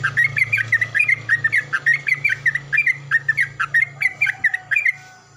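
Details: Morning song of a Yellow-vented bulbul answering a neighbouring bulbul loudly: a long, steady string of rich, gurgling chirped phrases repeated rapidly, over a low steady hum.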